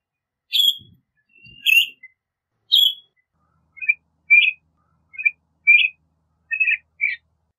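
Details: Northern Shrike song and calls: a few sharp, high chirps at first, then a run of short, clear whistled notes spaced roughly half a second apart.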